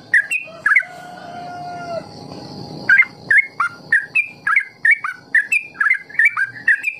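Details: Trucukan ropel song for teaching young birds; a few whistles, then a drawn-out steady tone for about a second, followed by a rapid run of bright slurred notes near three per second.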